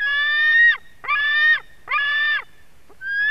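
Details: Eagle nestling, white-tailed, screaming for fish its mother delivers at a Durbe nest in Latvia, August 2020; three loud, harsh, harmonic screams in quick succession, then a rising whistle as a fourth begins.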